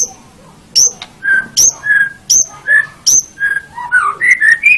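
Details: White-rumped shama song for training caged birds, played in the morning or evening: high thin notes alternating with rich, lower whistled phrases, repeated roughly every second, ending in a quick run of rising warbled whistles.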